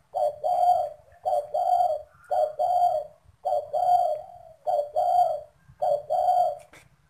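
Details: A caged spotted dove coos when a stranger arrives, giving soft, hollow, low coos in short two-part phrases, repeated about once a second; a faint low hum and a thin high whine run underneath.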